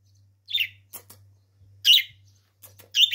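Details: Pet budgerigar mimicking Turkish speech ("aşkım", my love) in three short, scratchy, warbled chattering bursts about a second apart, with soft clicks between and a low room hum.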